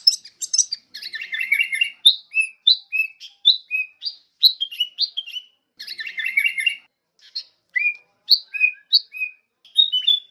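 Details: Sooty-headed bulbul in a lively sustained song: dense chattering bursts of chirps alternating with clear level whistles, a short gap midway, then more bubbly phrases and whistles.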